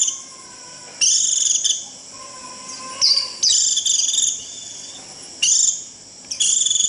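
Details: Japanese white-eye making rít calls to summon the flock, used to lure wild birds in. High, thin, shrill bursts repeat at irregular intervals of about one to two seconds, each a short, buzzy, piercing trill with brief quiet gaps.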